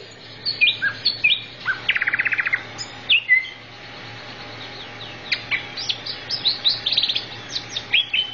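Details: Training recording of greater green leafbird song: sharp whistled notes, a rattling buzzy trill around two seconds, then quick chattering sequences of rising chips, set against a soft continuous hum.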